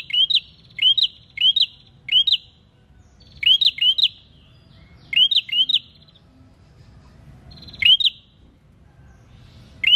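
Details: Vigorous prinia song to set other birds singing: a quick series of single upswept chirps, then doublets and triplets of the same rising notes, separated by short pauses.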